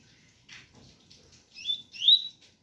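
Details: Double-collared seedeater (coleiro), a bird of the type called ganga, singing a pure tui-tui song with rain sounds in the background: faint soft notes, then two bright rising whistled phrases near the end.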